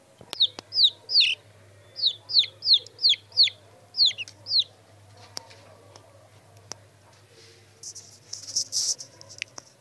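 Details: Aseel chicks near a rooster give a short run of high falling peeps for about four seconds, then quiet with a few clicks and a brief rustling burst near the end.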